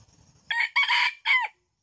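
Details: A wild red junglefowl, being lured in Kuansing, gives a short, clipped crow in three quick harsh bursts, the last dropping abruptly, after faint low rumbling.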